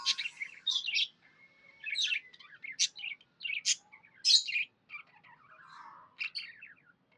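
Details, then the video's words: Happy pet budgie chirping: quick bursts of high, scratchy warbled notes with brief pauses, some buzzy, some sweeping, in a quiet indoor setting. "Happy budgie chirping sounds"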